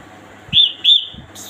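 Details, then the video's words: A female red-whiskered bulbul calls: two bright, liquid whistled notes in quick succession, a third of a second apart, over faint background hiss. "merbah jambul kampung betina memanggil"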